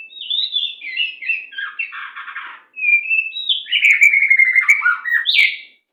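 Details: Captive-training master song of the white-rumped shama in fast, tight 'macet' style: long unbroken phrases of quick warbles, rattling trills and sweeping whistles, loud and continuous, with a brief clicking rattle near the end.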